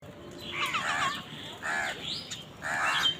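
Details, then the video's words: Crows calling while fighting over food, heard as harsh nasal caws in three bursts with a short whistled note in between, over steady background hiss. "Crow Crowing Sound Effect |Crow Bird Eating Scenes part 91| Sound of Angry Crows"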